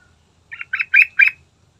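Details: Yellow-vented bulbul song played as a lure to make the bird sing: a short series of four bubbly, chattering notes, rising in strength, over a faint low hum.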